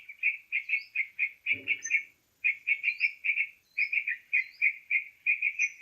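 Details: Trapping lure of sooty-headed bulbul: rapid chirps in steady strings about five per second, broken by a gap near the middle, with short thin upslurred whistles above and a brief low thump.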